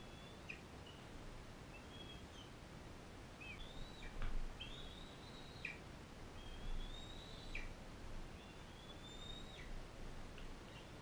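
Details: At a wildlife care center, a captive adult female bald eagle fosters an eaglet from Powell River: repeated drawn-out high whistles, rising slightly then dropping abruptly at the end, about every second or two, with soft low rumble beneath.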